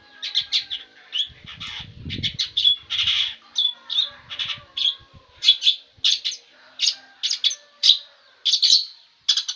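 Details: Long-tailed shrike (cendet) singing nonstop: a lively run of short, scratchy, chattering bursts, high and harsh, repeated in quick succession about twice a second, with some dull low thumps near the start.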